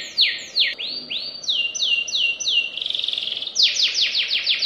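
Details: Canary singing fast and tight, a rapid series of high sweeping notes in repeated phrases: falling sweeps, then short downslurred notes, a quick buzzy trill, and ending with fast descending whistles.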